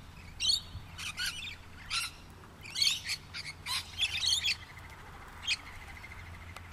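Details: Several rainbow lorikeets in trees, captured with a Canon Powershot S5 IS during travels, give rapid short shrill screeches and chirps in irregular bursts, roughly one to two per second, over a faint steady background hum.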